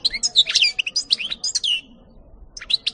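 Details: In a 2018 recording, a European goldfinch delivers a tumbling cascade of sweet, high twittering notes and slurred chirps, a short pause, then a few more quick tweets; light background murmur.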